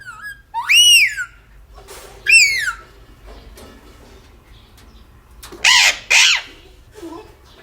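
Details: Aggressive pet parrot screeching: loud, harsh squawks that arch up and then slide down, two early ones and then a noisier rasping pair, with quieter murmuring sounds between them.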